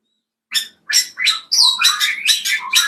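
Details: Caged cucak kopi kept in an aviary, begging for food: a quick series of rasping, chattering chirps with one clearer whistled note mid-way, the bursts running together after a short opening pause.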